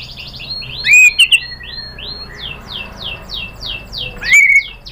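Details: White-rumped shama song used to provoke a reply: a soft series of repeated descending whistled notes runs through, broken by loud clear whistles near the start and end.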